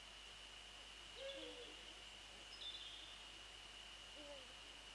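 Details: Eurasian eagle-owl male and female calling at 6:27–6:29 on 28 February 2014, with songbirds stirring afterwards; two faint low hoots with lower echoing notes, interrupted by short high chirps from small birds and a steady electronic whine.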